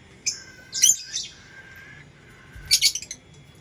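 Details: Lovebird making two clusters of sharp, piercing chirps over a thin, sustained high twitter, with a gap of more than a second between the clusters.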